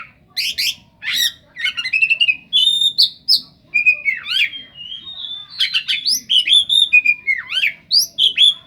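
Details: Oriental magpie-robin singing a full song packed with imitations of the cendet (long-tailed shrike). Loud, rapid, varied phrases mix sharp chips, buzzy rasps and swooping whistled notes that rise and fall, with no pauses and no other sounds.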